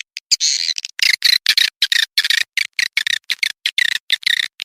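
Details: Swiftlet lure sound named Manuk Ireng 01, played to attract swiftlets to a swiftlet house: dense bursts of dry, rapid clicking twitters, each burst about a tenth of a second, packed tightly with short gaps.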